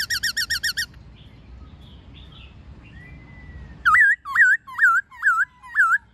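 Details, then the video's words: White-cheeked laughingthrush singing a wild-type song with many voices, used to train captive birds: fast runs of bright whistled notes, then a gliding whistle and a series of loud looping, rising-falling whistles about every half second. "Khướu Hót giọng rừng NHIỀU GIỌNG + MÁI RÒ"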